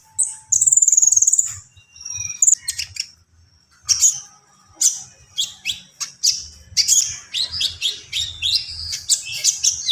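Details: Javan pied starling song opening with a long shrill whistled phrase, then a pause, then a run of sharp, repeated chattering notes speeding into dense scratchy phrases.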